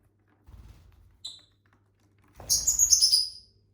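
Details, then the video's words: Pet lovebirds from a household flock of six, eating and singing: soft low rustling and a brief faint note, then one loud, harsh, chattering chirp burst lasting about a second, sliding slightly downward. "Bird sounds for lonely lovebirds (Eating, Singing & Chirping Sounds)"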